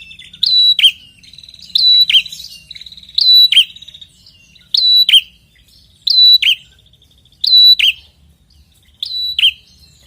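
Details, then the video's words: Prinia described as red-headed, singing persistently, used as a lure to make silent prinias answer: loud phrases of a sharp note, a held high whistle and a buzzy dropping note, repeated about every one and a half seconds, with soft chatter between. "pikatan ampuh burung prenjak macet& bahan langsung nyautt dengan prenjak gacor ngotot ini"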